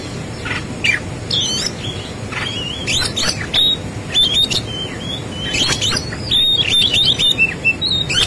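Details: White-rumped shama delivering fighting song: busy sequences of whistles, clicks and harsh squawks, fast and irregular, nearly continuous through eight seconds over background hiss.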